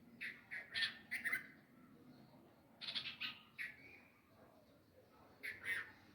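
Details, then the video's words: Parent nightingales crying after losing their chicks to a cat, near a nest in a tree by pomegranate plants at a home: harsh chirping bursts in clusters of two to four, separated by pauses, over faint steady hiss. "Behaviour of Nightangles After Loosing Chick | Birds Cry For Lost Chick"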